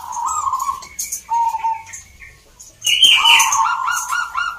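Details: Local zebra doves at the G-24 singing competition in Salatiga, Central Java, Indonesia: mellow sustained coo notes, a harsher higher burst near the end, then a rippling coo phrase, with sharp ticking sounds above.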